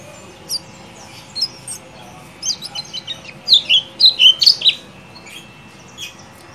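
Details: Lemon-bellied white-eye ciak ciak calls, used as a lure to make a quiet bird sing: sharp high chirps, sparse at first, then a quick run of about six descending notes near the middle, ending with a few scattered chirps over faint hiss.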